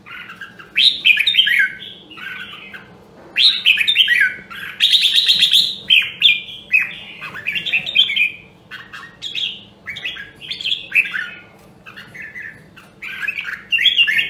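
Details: Caged red-whiskered bulbul, Nam Dong, Hue, Vietnam, during song training. It delivers a long, busy series of liquid warbled phrases, about three or four each second, including a harsh buzzy rattle. A steady low drone sounds in the background.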